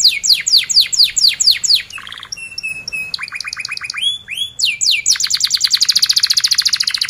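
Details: Canary song used as a lure to help young or silent canaries learn to sing: rapid series of descending whistled notes, then steady high tones, rising slurs and a fast buzzy trill near the end.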